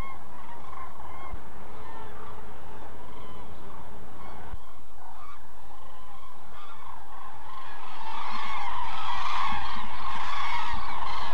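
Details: Common cranes resting at a November stopover in an almond orchard in Israel's Hula Valley, feeding on fallen nuts; a distant, muffled chorus of trumpeting calls that swells louder and more crowded toward the end.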